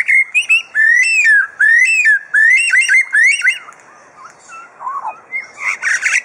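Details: Mimicking superb lyrebird in captivity at Adelaide Zoo, Australia: a sequence of bright, looping whistled phrases with sharp upward flicks, repeated rapidly for three seconds, then quieter scattered notes and a rougher chattering burst at the end.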